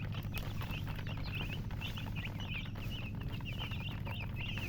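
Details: Domestic chicks chirp in a lively cluster of short, thin, rising notes that overlap and tumble on, set against persistent low-frequency hum.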